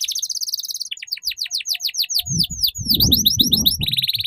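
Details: Canary tutor song in the ngeriwik style, played so young canaries learn quickly: fast, high, buzzy trills and rapid down-slurred chirps repeated several times a second, with low thumping noises in the second half.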